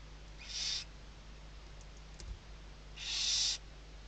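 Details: Nest of Western barn owls filmed by webcam at Riet Vell reserve in Spain's Ebro Delta, Tarragona, during the 2023 season, with chicks under the mother's wings; two rasping hisses, short then longer, roughly two and a half seconds apart, with a faint knock between.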